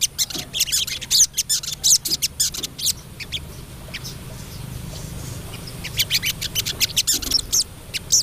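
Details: Female crested jay calling to the male: bursts of dry, rapid, rattling clicks, high and harsh, in quick runs with a quieter pause near the middle before the chatter resumes.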